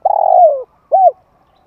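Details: Spotted dove giving a long, rolling, downward-sliding coo followed after a short pause by a brief arched coo, clean and close, as used to stir up decoy birds.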